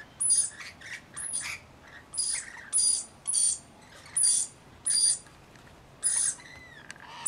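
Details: While bathing and feeding, rainbow lorikeets give evenly spaced, harsh screeches, each about a quarter-second long and roughly every 0.6 seconds. Softer chirps and one short rising whistle come between them.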